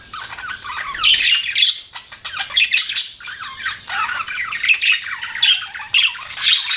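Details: Pet budgies chirp and warble in a rolling flow of grating squawks and bright whistled notes that swells in loudness toward the middle and end.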